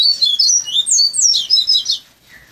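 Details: Bahia-type coleiro trained over months as a young bird to sing a fluted flauteado song: continuous quick high whistles rising and falling in short slurred notes, ending in a short lower note.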